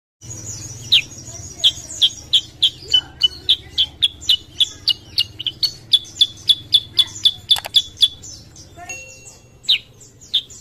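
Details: Sooty-headed bulbul, an untrained bird, singing as a lure to stimulate other birds. A long run of sharp, high chirps about four per second, some notes dipping or rising, ending in a few scattered calls.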